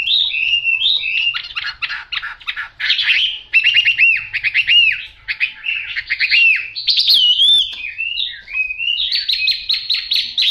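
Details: Chinese hwamei, yellow bill and yellow legs, delivering a long varied song: rapid stuttering trills alternate with looping whistled notes and bright slurred phrases, nearly unbroken for ten seconds.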